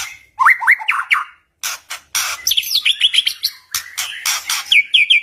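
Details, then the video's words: Aggressive white-rumped shama song used to lure rival birds into singing back. Rising whistled notes repeated in quick runs alternate with harsh scratchy bursts and clicking rattles, ending in short repeated high whistles. "Suara kicauan muraibatu PASTI Ampuh Pancing MURAI LAWAN BONGKAR ISIAN DAN BUAT MURAI DIAM JADI NYAUT"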